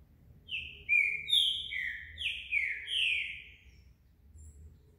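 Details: Green-winged Saltator, a Brazilian COBRAP 2020 champion singer, in feather molt; loud, clear whistled notes slurring downward and overlapping in a rapid run of about five phrases over three seconds, then falling quiet, with a faint low hum beneath.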